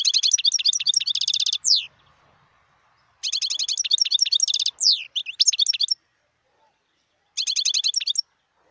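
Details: A wild European goldfinch sings rapid liquid twittering runs, each ending in a downward-swept note, delivered in three spurts with silent gaps between them.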